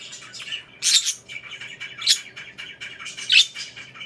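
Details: Pet budgerigars chirp while kissing. Soft, scratchy warbling chatter runs throughout, with three louder, harsher chirp bursts about every 1.2 seconds.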